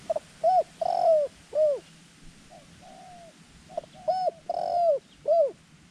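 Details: Cooing decoy dove calling to draw in wild doves for trapping: bursts of hooked, rising-falling coos in quick runs, with pauses between phrases and a calm outdoor backdrop.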